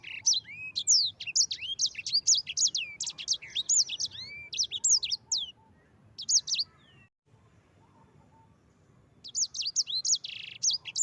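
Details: A yellow-fronted canary delivers long master song for training birds: about seven seconds of rapid, high, looping whistled notes with sliding lower notes, a quiet pause of two seconds, then a further phrase ending in a buzzy trill.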